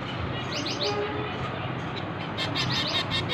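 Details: Hand-fed finch babies beg with short bursts of high chirps, a quick triplet early on, then a pause before a faster, louder string of sharp cheeps near the end.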